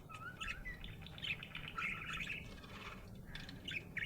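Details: Happy budgerigar chirping: a steady stream of quick, squeaky warbled chirps and short whistles, some rising, continuing for four seconds over a low background hum.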